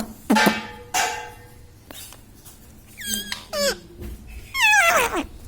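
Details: Indoor pet parrot that imitates human words such as "Mummy" and "Papa"; two harsh noisy bursts, then wavering, stepped squeaky syllables and a final descending voice-like phrase.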